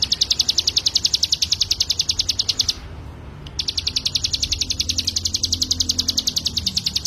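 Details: Crescent-chested warbler singing in full voice: fast even trill of high chirping notes, breaking off briefly near the middle, then resuming at the same rapid pace with low rumbling noise underneath.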